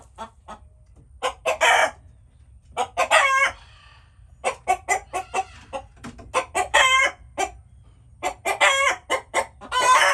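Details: Chickens making noises: bright clucks in fast runs punctuated by harsh, ringing squawks, repeated throughout with short silent gaps.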